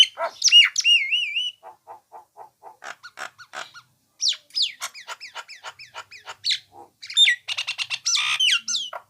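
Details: For training songbirds, a Nias hill myna gives a falling whistle and wavy warble, a slow row of soft low chucks, scattered clicks, then mixed sharp whistles and a harsh squawk.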